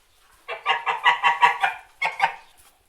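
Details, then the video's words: White geese honking: a burst of six harsh, nasal honks in quick succession, then a short pause and two more, clear against a quiet background. "white geese honking"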